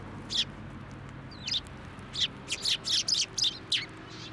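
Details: Sparrows flying onto a hand to be fed at a Tenmangu shrine, Japan, January 2024: sharp chirps, a few scattered then a quick run of rapid, bright cheeps with low background hum.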